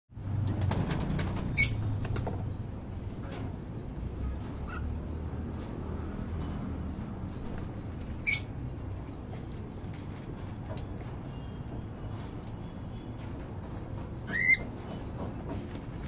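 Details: During feeding, pearl and yellow-faced lutino cockatiels give three brief, sharp chirps spaced several seconds apart over low rustling.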